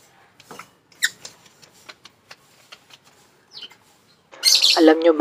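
Cockatiel: soft scattered clicks and a brief chirp, then a loud, harsh, buzzy screech lasting about a second at the end.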